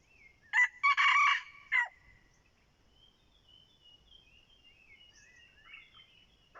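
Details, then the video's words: Red junglefowl decoy crow: a loud harsh broken crow of several bursts, followed by thin wavering whistles of other birds in a quiet background. "ต่อไก่ป่า เจ้าจอมเพ็ด"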